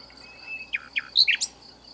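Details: Hidden nightingale in southern France giving a short phrase: a thin held whistle followed by four or five quick slurred, falling notes, with a constant shrill insect drone behind.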